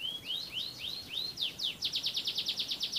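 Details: Caged canary from Central Java, Indonesia, singing: a series of rising whistled notes, then faster falling slurs, ending in a rapid rhythmic trill of repeated buzzy notes about five per second, over low background noise.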